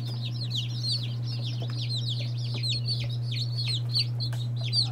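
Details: Fairly faint high peeping of day-old chicks of various breeds, several birds calling in overlapping downslurred notes beneath a prominent low hum and light rustling.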